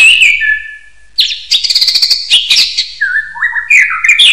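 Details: Common hill myna whistles for teaching other birds: a sliding high whistle, a held low note, a harsh buzzy rattle, then dipping whistled phrases rising at the end.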